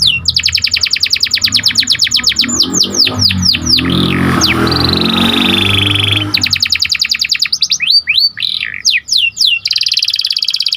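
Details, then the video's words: Panda canary in full song, used to raise excitement in other canaries: rapid buzzy trills at high pitch, then sweeping whistled slurs and a long steady note, with a low humming drone beneath the middle section. "Meningkatkan Emosi Dengan Kicauan Burung Kenari Panda Gacor"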